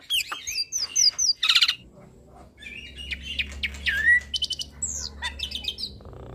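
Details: Hybrid starling in full varied song, used as a tutor recording for Javan pied starlings and other songbirds: clear rising and falling whistles, rapid repeated notes and a harsh burst, then softer chattering phrases over a low hum.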